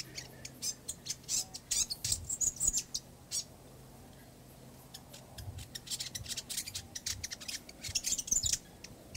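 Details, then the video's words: In a backyard, a fantail gives irregular high chips and squeaky twitters in clusters, separated by short quiet gaps, over a faint low hum. "Birds In Backyard Fantail"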